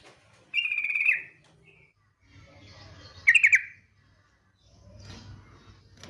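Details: Yellow-vented bulbul female ngetir call used to coax other bulbuls into song: a half-second buzzy rattle, a quiet gap with low hum, then a short choppy burst of four stuttered notes.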